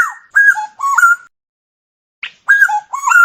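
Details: Black-naped oriole singing: two short, fluty whistled phrases of liquid slurred notes, the first opening with a downward slur, separated by a second of silence, with no other sounds in the background.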